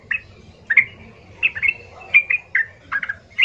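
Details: Yellow-vented bulbul in rough, loud provoking song to make other bulbuls respond; short liquid chirped notes, often in pairs, spaced about half a second apart, over a faint low hum.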